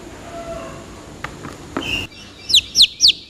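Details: Chicken chicks: after two seconds of low background noise and a few knocks, three loud, shrill peeps, each sliding sharply downward.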